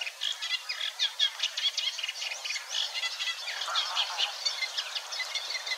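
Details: Singing Eurasian Reed Warbler recorded 6–7 May 2022 at Wetering West, Overijssel; an unhurried, grating chatter of repeated two- and three-note phrases with slight imitations, rolling on without pause.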